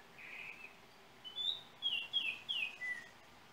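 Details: Trinidad yellow oriole, captured by cell phone: a soft opening whistle, then five loud, pure whistled notes in quick succession, some falling and some rising, over a constant hiss.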